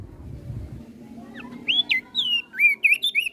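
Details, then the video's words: Crested white-eye of Flores singing vigorously, said to rile up other birds that hear it: after a quiet start with low rumble, a rapid run of clear whistled notes, some rising, some slurred downward, about a dozen in under two seconds. "Opior Jambul flores Gacor Bikin Emosi Burung Yang Dengar Pasti Langsung Ribut"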